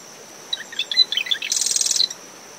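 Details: Marsh wren at dawn in windy dune vegetation beside its nest following a passing storm. A single song opens with a jumble of sharp chattering notes, then a fast rattling buzz. Steady high cricket drone, with wind and surf behind.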